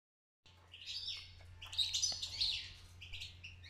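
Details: Young European goldfinch beginning to sing: a soft, rambling twittering warble of tinkling high notes and buzzy slurs, quiet and unformed, over a steady low electrical hum.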